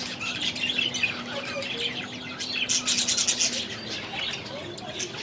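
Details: Budgerigars raised last season, just moved into a new aviary, keep up a busy high twittering warble with a rapid burst of clipped chirps midway, over a steady low hum.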